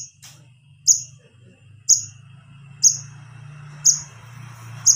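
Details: Wiceh nestling begging for its parents, played to attract adult birds: a steady series of bright, high, clipped chips almost exactly one second apart above a continuous low hum.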